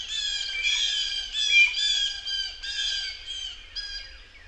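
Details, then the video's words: Blue jay in a forest: loud, grating squawks repeated in quick bursts of about two per second, each note raspy and layered, fading slightly toward the end; no other sounds stand out. "Birdsong Blue Jay sings in the forest"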